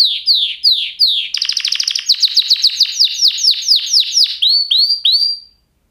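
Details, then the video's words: Canary singing a varied song: downslurred whistles, then a fast trilled tour and a series of sweeping, repeated notes, ending with a few bright upslurred chirps. "Kanarya sesi | Kanarya ötüşü | Canary Sound"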